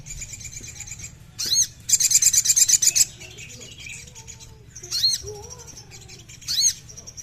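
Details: Crimson sunbird, recorded to stir a captive bird to sing: a quick series of high, tinkling, trilled notes, framed by sharp downslurred squeaks and soft lower warbles between phrases.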